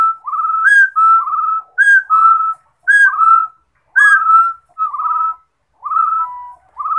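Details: Singing rufous-throated partridge giving quick, repeated whistled phrases roughly every second, some opening with a brief higher note before a rising slur and a steady lower whistle; no other sounds.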